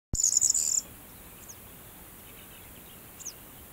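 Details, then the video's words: Corn bunting singing in a field of yellow-flowering rapeseed, recorded with a camera: one high, dry, jangling trill lasting under a second, then a few faint high chips over a steady background hiss. "Corn Bunting singing / Presura sura cantand"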